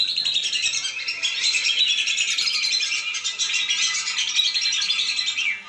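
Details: Lesser whistling ducks in a lure recording meant to bring them down: dense, continuous high twittering and whistled chatter from many overlapping calls, steady in level throughout.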